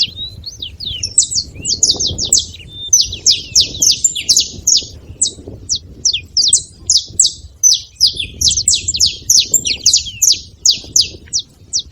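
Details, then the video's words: Wild saffron finch flock at a seed spot: a long, busy stream of crisp high chirps and downward flicks, clustered in quick bursts with small pauses, set against a soft low rumble. "Canarinhos da terra livre na seva fazendo barulho"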